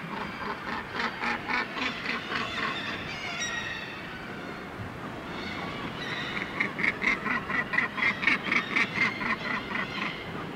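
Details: Northern gannet colony on the Syltefjordstauran cliffs, Varanger, north-east Norway; rapid bursts of harsh, grating calls repeated about twice a second, a pause, then another rhythmic run of rasping notes above a crowd of distant birds.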